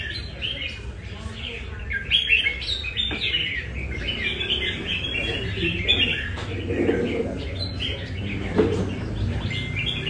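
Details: Caged red-whiskered bulbul from Nam Đông, given a light practice session at a café in Da Nang; busy, chirpy warbled phrases run almost without pause, over a steady low hum and faint background voices.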